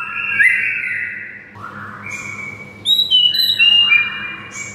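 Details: Shama singing a master song that is said to drive mute shamas to sing: smooth, long whistled notes gliding between middle and high pitches, ending in quicker high chirps, with a low electrical-sounding hum behind.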